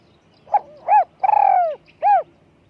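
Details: Spotted dove kept as a lure bird, high-voiced, delivering a single clean phrase: a short soft note, a rounded coo, a long sliding-down coo and a final rounded coo over quiet background.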